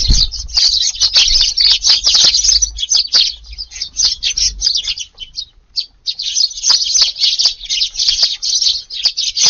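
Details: A flock of Eurasian tree sparrows crowding a garden feeding spot in the evening of July 22, hungry after being kept away all day by weeding; dense, continuous overlapping high chirps, loud and busy, with a brief lull midway.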